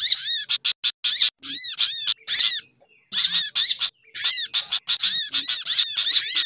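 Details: Sunbird lure recording with bulbul chatter mixed in: clusters of bright, arched chirps in quick series, a short quiet gap midway, then busy twittering again.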